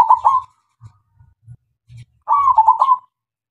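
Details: Local zebra dove song meant to lure other doves into singing: a short burst of quick, rolling coos, then soft low knocks, then a longer run of stuttered, bubbling coo notes.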